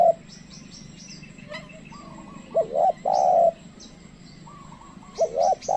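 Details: A tame decoy spotted dove calls to lure wild doves, which do not come near: low mellow coo phrases, a short hooked double note and then a long steady note, heard twice. Faint thin chirps from other birds are in the background.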